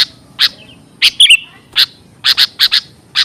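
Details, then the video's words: Sooty-headed bulbul lure call used for trapping and training birds: short, sharp chipping notes at irregular intervals, with a brief squeaky twitter in the middle and a quiet background. "Suara pikat burung kutilang serba bisa!"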